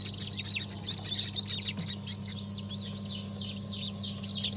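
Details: Chicks just out of the egg, from a December 2022 hatch of Habeş, Sultan and İspenç breeds, peeping shrilly and constantly in many overlapping voices; steady low hum in the background.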